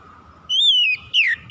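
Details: Oriental magpie-robin (kacer) lure song for a reluctant singer: one long, sweet whistle arching up then easing down, followed by a shorter falling slur and the start of a third note.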